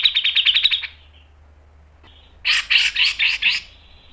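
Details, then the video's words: Grey-cheeked bulbul, a masteran tutor recording: a fast string of harsh, pulsed chattering notes near one pitch, a pause, then a second loud burst of rapid buzzy pulses. "MASTERAN CUCAK JENGGOT GACOR MBESET NGEPIK dan NEMBAK tajam | PANCINGAN CUCAK JENGGOT"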